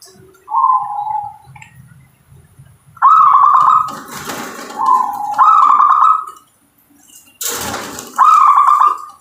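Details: Local zebra dove cooing: soft, rolling coo phrases near one pitch, each about a second long, repeated several times with gaps, alongside sharp bursts of broadband handling or rustling noise.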